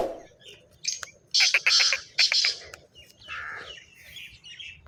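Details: Harsh, grating call of a black francolin: three strong clusters of scratchy, stuttering notes close together, then quieter mixed bird chatter in the background.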